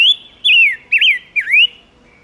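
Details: Silver-eared mesia singing as a lure to draw wild birds and rouse males: four loud, clear whistled notes in quick succession, each sliding down then rising, over quiet background.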